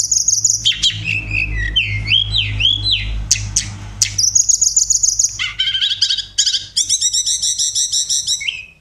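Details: Oriental magpie-robin in energetic contest song: buzzy high opening, wavering looping whistles, a quick chattering run, then dense rapid trills repeated steadily to the end.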